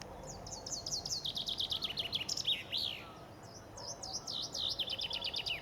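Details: Common chaffinch singing in spring on the Ob riverbank near Novosibirsk, Siberia, several birds performing together; high descending trills of repeated notes ending in a flourish, then a second strophe answering after a short pause.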